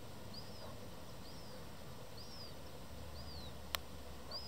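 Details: Hungry young black-headed gull demanding food, Białystok (Dojlidy), Poland, 27 July 2024; five high, arched squeaky whistles spaced around a second apart, one sharp click near the end, faint low-frequency ambient noise throughout.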